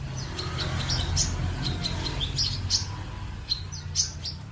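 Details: Sunbird repeating fast, high, thin chirps and sharp tweets, roughly four per second but unevenly spaced, against a constant low background hum.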